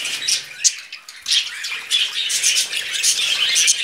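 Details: Pet budgerigar brothers on a person's hand chatter with high, rasping chirps and squeaks in irregular bursts, with faint soft rustling beneath.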